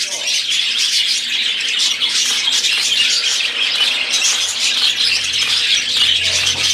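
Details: Budgerigars in song, with harsh squawks prominent among a constant high chatter of overlapping twitters; a low rumble appears toward the end.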